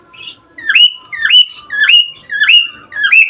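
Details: Cockatiel calls used to encourage breeding: five clear whistled notes, each swooping up sharply then holding level, repeated about every half second, with faint softer chirps underneath and little background noise.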